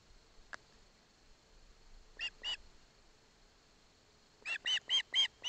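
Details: Osprey chick in Barlinek Forest receiving a fish from its father, with the mother present. One faint note, then two piercing whistled calls, then a fast run of five loud, evenly spaced squealing notes near the end.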